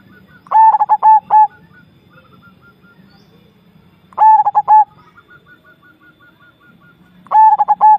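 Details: Javanese zebra dove (perkutut jawa) singing: three clear cooing phrases about every three and a half seconds, each a quick stutter of short notes ending in longer mellow tones, over a low steady hum.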